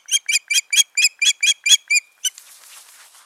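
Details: Ospreys, a pair together at their nest on 14 June 2019 after a failed nesting; a rapid string of nine loud, piercing whistled notes at an even pace, a last note after a short gap, then soft rustling.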